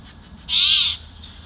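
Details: Nest-camera sound of a bald eagle pair in Big Bear Valley, evening of 25 May 2024, while bringing sticks and settling to roost: one loud, high, piercing squeal lasting about half a second.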